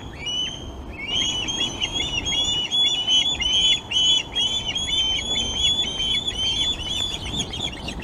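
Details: At the Glaslyn osprey nest on 26 August, during fish deliveries to the young, an osprey gives a rapid, continuous run of shrill whistled chirps, several per second, against constant hiss.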